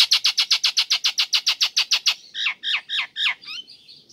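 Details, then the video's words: Female Nias hill myna calling the male: a fast run of identical sharp, high notes about five per second, slowing into louder downward-bending squawks. "Jalak Nias Betina Memanggil Jantan"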